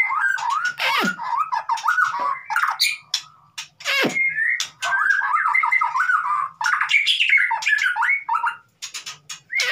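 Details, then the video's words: White-rumped shama song used to encourage a silent bird to sing: jerky warbled phrases of quick up-and-down slurs mixed with sharp broadband clicks, broken by short pauses. "MURAI batu konslet PANCINGAN buat murai batu yg BISU jamin COOR DOOR"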